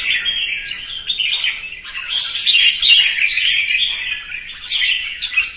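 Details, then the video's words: Morning contest singing of red-whiskered bulbul, used to prompt fighting birds to sing: continuous jumbled whistles and quick chattering notes, varied and unbroken, with brief louder swells. "CHÀO MÀO | Hót sáng hót đấu thúc chim đấu hót xòe"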